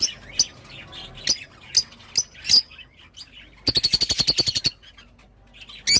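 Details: Rosy-faced lovebird gives scattered harsh single squawks, then a rapid even rattle of about a dozen squeaky pulses, then another squawk.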